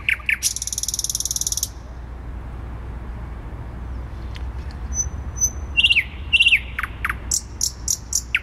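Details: Thrush nightingale song in central Warsaw, Poland, recorded 12 May 2020. A dry, grating rattle comes first, then a quiet gap with faint thin whistles. Pairs of rich falling notes and scattered sharp clicks follow.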